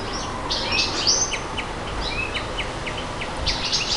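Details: Nightingale song with a long, pure whistled note, followed by quick, evenly spaced ticking chirps and a final burst of rapid high notes.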